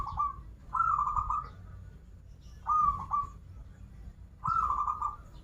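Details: Zebra dove, a local bird from Banten, singing its 'krital' and 'warung kebek' styles: three rolling, trilled coo phrases, each under a second, spaced about two seconds apart, with soft low rumble behind.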